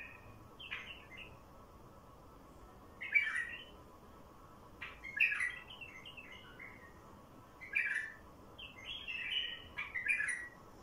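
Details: Song of a wild bulbul used to lure wild bulbuls: short bubbling warbled phrases repeated roughly every two seconds, each a quick cluster of mid-high chirps, one following another with brief pauses.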